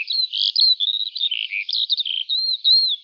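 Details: Eurasian skylark singing in the morning while rising high into the sky; a continuous, rapid warbling stream of high twittering and trilled notes without pause, clean and free of other sounds.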